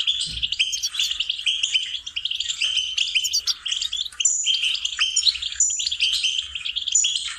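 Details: Singing lesson from a goldfinch: an unbroken, high, sparkling twitter with repeated chirps and thin whistles, steady in loudness throughout.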